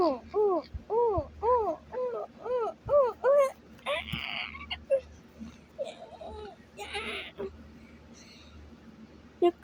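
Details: A pet sun conure gives a quick run of arched, whining calls that rise and fall, each about half a second apart.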